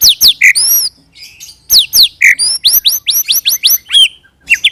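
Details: White-rumped shama rolling song (roll tembak) used as a lure to make shamas sing back; loud, varied bursts of upward-sweeping whistles and sharp chips, mostly in quick runs with brief gaps.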